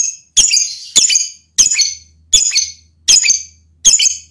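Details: Lovebird mating call with its stated effect on the male partner: six loud, piercing, ringing squawks at an even pace of roughly one every two-thirds of a second, shrill and metallic, with a faint low hum behind.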